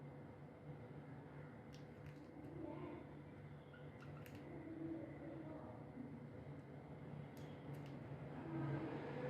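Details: Steady low hum and indoor room noise with a few faint, brief clicks, and no clear animal voice.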